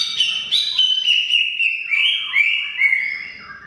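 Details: Greater green leafbird in long continuous song, meant for silent birds: loud, rich whistled phrases sliding and warbling, with high overtones and short falling notes.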